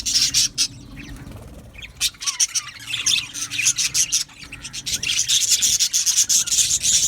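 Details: Australian budgies singing and chirping in an aviary: sharp high chirps at first, building into a dense, continuous chattering chorus from many birds.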